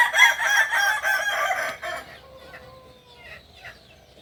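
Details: End of a kukuak balenggek crow from a native Solok, West Sumatra bird: about two seconds of loud pulsing, stepped notes that stop abruptly, leaving faint distant crowing and quiet background.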